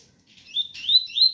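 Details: Double-collared seedeater, ganga type, giving a pure tui-tui song over a rain background: a quick string of bright whistled notes, each sliding upward, growing louder toward the end.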